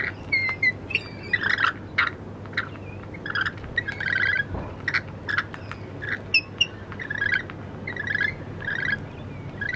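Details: Several lorikeets call in Wollstonecraft: rapid, scratchy screeches and sharp chirps overlap in uneven bursts, set against a quiet low rumble.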